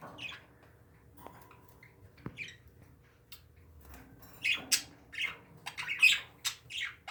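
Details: Pet parakeets indoors chattering: short, scratchy chirps and squawks come in quick bursts through the second half, after a quieter stretch with faint rustling and a few soft clicks.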